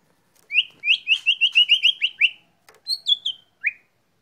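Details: White-rumped shama set out in the sun, giving about eight loud, rising whistled notes in quick succession, then a brief pause and a few higher whistles ending in one more rising note.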